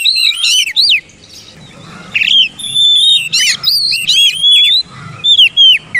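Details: Song of an oriental magpie-robin, played to make silent birds respond: fast clusters of rising slurred whistles, some steady held notes and trills, loud bursts separated by short pauses.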